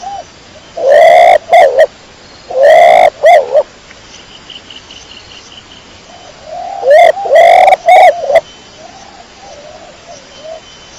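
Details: A pigeon gives three strong coo bursts, each a full note trailed by clipped pulses. Between them and after them come long stretches of faint, low, gentle cooing.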